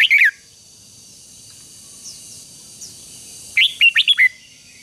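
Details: Red-whiskered bulbul song aimed at stirring a wild-caught bird to sing: one brief slurred note at the start, a long quiet stretch, then a quick burst of five clear notes.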